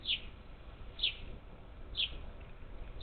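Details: Parakeets, up to ten at a Gulf Coast feeder on the outskirts of Houston, Texas, on 27 July 2021: short high downslurred chirps, four in a row about one second apart, over a low steady background hum.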